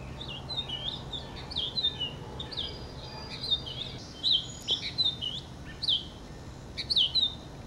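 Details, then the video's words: Purple finch singing a rich, fast warble of slurred, twisting notes, with phrases running almost continuously for several seconds and brief pauses between bursts, over a faint low background hum. "Roselin pourpré/Purple Finch"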